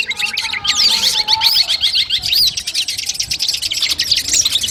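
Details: Compiled training song of a Long-tailed shrike for testing a bird's nerve before a contest: long stream of fast, high, squeaky chattering notes with a few looping whistles, steady and unbroken.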